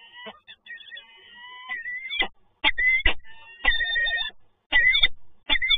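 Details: Peregrine falcons, a pair on a visit in Toruń, Poland, 12 November 2022: loud drawn-out wailing notes, some rising and bending, broken by sharp clattering bursts roughly every second, recorded very close.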